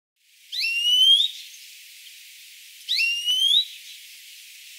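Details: European greenfinch from Córdoba: two drawn-out, buzzy, rising notes with a nasal ring, each lasting about 0.7 seconds and spaced about two seconds apart, against a quiet background.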